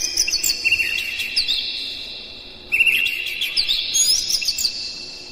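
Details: Oriental magpie-robin pouring out a hard, packed song meant to make other magpie-robins sing; sustained high whistles mixed with quick twittering, a brief lull mid-way, then another strong phrase.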